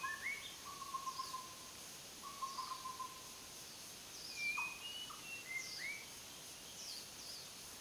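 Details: White-rumped shama singing: low, wavering whistled phrases followed by higher, sweeping slurred whistles and short upward notes, delivered in separated bursts over steady faint background hiss.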